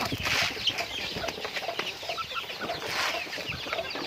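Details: Chickens during daily activity, with many birds calling together in a busy mix of high chirps and lower clucks, swelling louder near the start and again toward the end.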